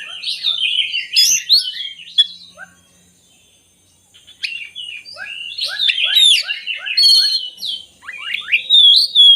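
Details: Oriental magpie-robin song used to lure lazy birds into singing: a warbled burst, a near-silent gap of about two seconds, then a run of short evenly spaced chips under high whistles and sweeping notes.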